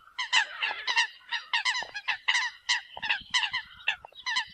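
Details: Eurasian coot decoy calls: loud, strident, overlapping honking notes in quick clusters, a dense flock-like chatter, with faint low thumps underneath.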